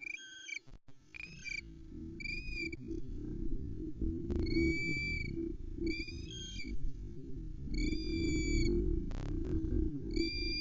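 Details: At a Loch Arkaig nest on 11 May 2020, a female osprey waits impatiently in full voice as her mate delivers a headless brown trout: short, piercing whistled chirps in quick bursts about once a second, over low wind rumble.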